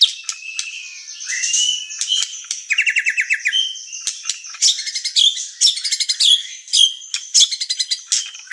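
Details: White-rumped shama (murai batu) singing energetically as a master track: whistled openings, then bursts of fast buzzy trills and chattering note series, repeated in irregular bouts.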